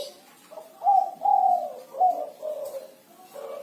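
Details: Spotted dove cooing its six-note song: a short low coo followed by longer mellow, slightly wavering coos and a trailing final note, with little background noise.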